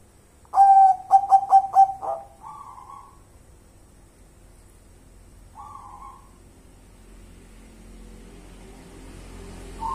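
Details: Local zebra dove: a burst of five rapid, bright, steady-pitched coos with a trailing note, then scattered softer, slightly higher answering calls amid faint rumbling background.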